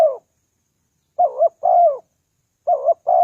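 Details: Wild-dove lure call from a spotted dove: low, soft two-note coos, a short wavering note leading into a longer sliding note, two full phrases with clipped fragments at either end.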